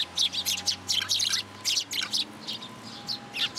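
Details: Sparrow chick begging in a plum tree at a Tenmangu shrine, 15 June 2022. Insistent high chirps tumble out in rapid clusters, several per second, with short pauses between groups.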